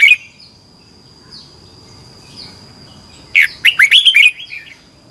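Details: Red-whiskered bulbul singing in competition style for training birds: a brief note at the start, then after a quiet spell a lively phrase of slurred whistles, with faint chirps and a thin steady tone.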